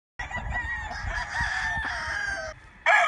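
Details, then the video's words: Rooster among a flock of chickens gives a long, loud, harmonic-rich crow lasting over two seconds, holding fairly steady before cutting off, with a second crow bursting in right at the end. "Wake up to the sound of chickens and roosters crowing"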